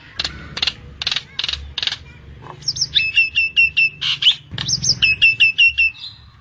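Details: Common myna trapping-lure calls: five evenly spaced loud harsh squawks, then rapid rattling runs of sharp whistled notes interspersed with grating chirps.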